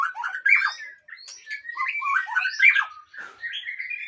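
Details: White-rumped shama from Aceh in a breeding aviary singing varied phrases of whistles, squawky slurs and chattering notes, uneven and rich, with brief gaps between bursts.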